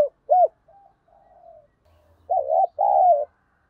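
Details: Spotted dove lure song meant to stir up wild doves. A short clipped coo and faint soft notes lead into a full phrase: a stuttered double coo, then a long, slightly falling coo. A low hum runs underneath.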